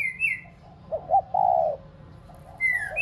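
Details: Spotted dove lure cooing to rouse pet doves into cooing: two quick short notes, then one long, steady low coo. Higher sliding whistles from other birds come at the start and end.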